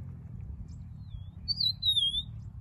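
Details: A rufous-naped lark sings a short, high whistled phrase that slurs downward, preceded by a faint soft whistle, over a low background rumble. The bird also briefly flaps its wings at the end.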